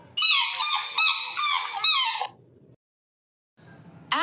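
A swan gives a run of harsh, nasal, trumpeting honks for about two seconds, then falls quiet; a brief rising tone cuts in at the end.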